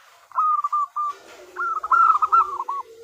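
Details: Zebra dove female of local stock calling for a male, used as a lure: a few spaced hooked notes followed by a fast, rolling trill of cooing syllables.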